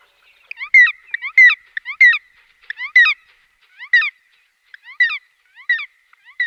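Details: A woodpecker calling in a quiet setting: a series of harsh, nasal notes rich in overtones, delivered about one every 0.6 to 0.8 seconds, with some notes doubled and a brief pause midway.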